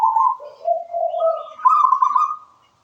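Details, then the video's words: Zebra dove of local natural stock singing: a continuous run of soft, bubbling coos that dips lower and then rises into a louder, rapidly trilled ending. "Suara merdu perkutut lokal alam gacor"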